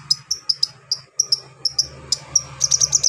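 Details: A brown-throated sunbird gives coarse song to provoke rival sunbirds. Short sharp high notes are repeated about every quarter second, then speed into a fast ticking run at the end, over a faint low hum.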